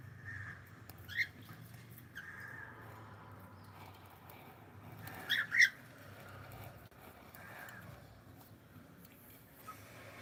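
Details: A pet cockatiel gives a few short, sharp squawks, the loudest pair near the middle, with faint softer calls between them over a low background hum.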